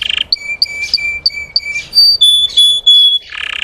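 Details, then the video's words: Russian canary singing to stir untrained canaries: short piping notes repeated at a steady pace, followed by clear drawn-out whistles and a closing buzzy roll. "PANCINGAN SUARA BURUNG KENARI RUSIA UNTUK MANCING EMOSI BURUNG BAHAN"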